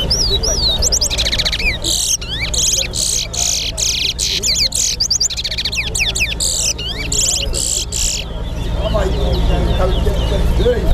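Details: Chestnut-bellied seed finch, known as towa towa, singing in a bird singing competition at Lusignan. A rapid run of bright, clear whistled and trilled notes lasts about seven seconds, then trails off, over crowd voices and background noise.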